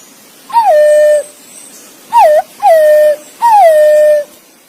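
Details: Green pigeon calling its mate: four clear, loud whistles, each starting higher, dipping quickly and then holding a steady tone for about half a second to nearly a second. The second whistle is noticeably shorter, over a quiet background.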